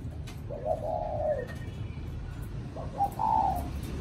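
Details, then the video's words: Spotted dove cooing: two low, soft, hollow coo phrases, each a short lead-in note followed by a longer drawn-out coo, over steady low background rumble. "CU GÁY THỔ CỤ"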